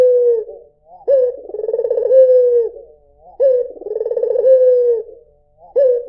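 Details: Rhythmic, vibrating coos from a white Barbary dove, each a swelling purr that rises in loudness and tapers off, repeated at a steady pace with short silences between phrases.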